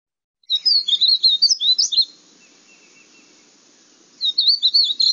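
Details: Painted bunting (Passerina ciris) singing a rapid, sweet warble of high, slurred notes that tumbles for about a second and a half, pauses, then resumes.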